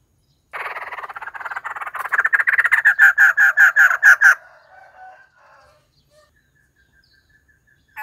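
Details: A white-crested laughingthrush builds a fast rattling chatter into a series of loud, evenly spaced harsh notes, then fades to soft low mutterings before a final burst.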